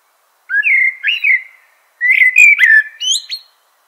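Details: Common blackbird singing two fluty whistled phrases separated by a short pause, each a mellow warble that climbs and ends in higher squeaky twitters; no other sounds intrude.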